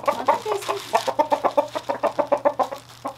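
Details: Happy rooster being hand-fed peanuts and corn as treats, giving a quick run of rhythmic clucks, roughly four a second, low and throaty with a steady beat, plus a constant low hum behind.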